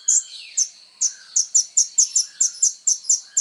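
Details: Van Hasselt's sunbird, locally kolibri ninja, in active song used to train other songbirds: thin, very high chirps repeated at a brisk, fairly steady pace, roughly two to three per second.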